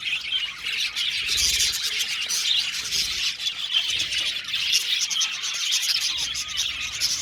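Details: Budgerigars chirping together in an aviary: a thick, steady wash of twittering and warbled notes from a crowded flock.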